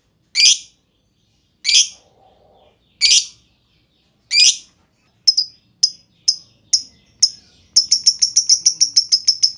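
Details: Lovebird lure for getting other lovebirds to sing, ngetik into ngekek. Four harsh squawks come first, then several sharp ticks at shortening intervals, then a fast run of high chattering pulses begins.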